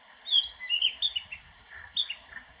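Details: Wild Narcissus flycatcher song from Niigata Prefecture, Japan: two rapid phrases of clear, high whistles stepping downward into softer warbled notes, the second phrase opening with a long bright whistle.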